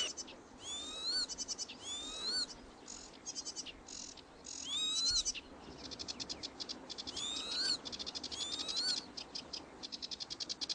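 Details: Foraging Northern lapwing chicks: clear rising, slurred whistles recur roughly every one to two seconds, set among constant fast, rattling chatter and short buzzy trills from other birds.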